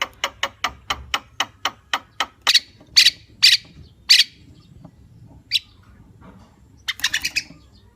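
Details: Javan myna pouring out a quick series of rough, raspy notes that grow louder and slower, then falls quiet before a final cluster of scratchy chatter.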